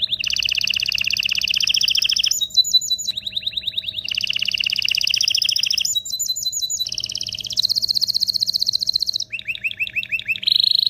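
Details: Excited canary singing to stimulate males and prepare females for mating: loud, sustained high trills switching abruptly between rapid rattling notes, buzzy rolls and pure whistled phrases, with brief pauses and a faint background hum.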